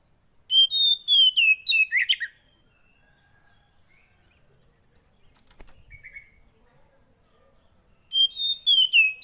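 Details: Javan white-eye song played to make a quiet caged bird start singing: a fast run of high, twittering notes that descend slightly, about eight notes in under two seconds, repeated after a pause.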